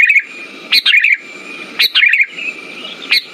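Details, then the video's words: Sooty-headed bulbul phrases played to stimulate silent bulbuls: a crisp high note sliding into a gurgling warble, three phrases roughly a second apart, a thin steady tone running beneath. "Pancingan burung kutilang macet"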